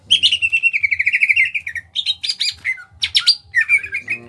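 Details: Small-bodied greater green leafbird from Kalimantan singing loudly: a fast, beaded rattle leading into varied bright whistles, chatters and quick sweeping notes, over a faint low throbbing hum.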